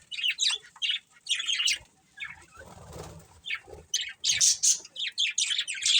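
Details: Budgerigar breeding pair chirping in short scratchy bursts, with a rustle of wings midway before the chattering resumes, louder and faster.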